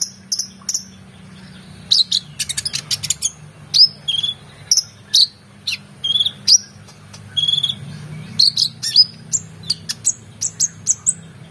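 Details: Singing oriental magpie-robin, recorded as tutor material for contest birds: scattered high whistles and sharp chips alternating with short dense bursts of rapid notes over a steady low hum.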